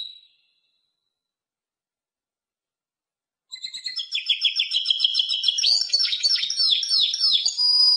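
A Timbrado canary sings a fast, rolling series of high metallic trills and chips after a few seconds of silence, its tours running together without pause.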